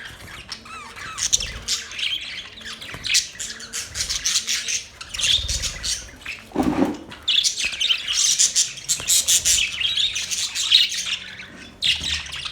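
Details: A long stretch of budgerigar chirping: quick squeaky notes and scratchy squawks, one brief low thump midway, then the chatter builds louder toward the end.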